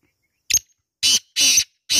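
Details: Black francolin calling: a few loud, harsh, broadband bursts of about a quarter second each, separated by short silences, over an otherwise quiet background.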